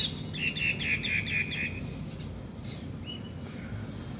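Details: Myna in Taiwan singing busily: a quick run of harsh, buzzy notes repeated about twice a second for over a second, then a couple of thinner upslurred calls over steady low background rumble.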